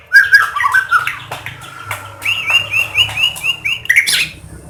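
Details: White-rumped shama song meant to prompt other shamas to sing: a tumbling phrase of whistles, then a steady series of repeated upslurred notes, ending in a sharp high burst.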